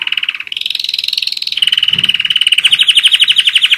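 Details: One-year-old German Roller-split canary with a sustained fast rolling trill, slightly rising in pitch mid-phrase, then continuing as a loud, evenly pulsed rattle until the end.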